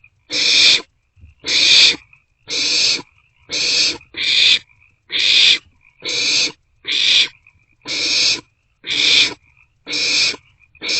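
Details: Young barn owls inside an owl box around 2 am on 27 March 2024, passing a meal between them; a long run of eleven rasping, hissy screeches, each under a second, repeated steadily about once a second.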